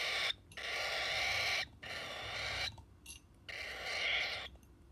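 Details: Hand-fed orphaned cockatiel chick in Iskenderun begging with loud, broad, rasping hisses in bursts of about one to one and a half seconds, broken by brief silences.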